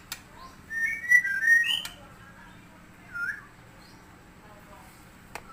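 A White-rumped shama gives a rich, fluting phrase of quick, warbled whistles, followed by a short clear note after a brief pause, with faint clicks behind.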